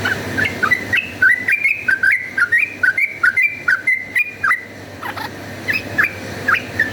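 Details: Yellow-vented bulbul in continuous fighting song for luring: a long, evenly paced chain of bubbly rising and falling notes lasting about four and a half seconds, a short pause, then a few more bright phrases.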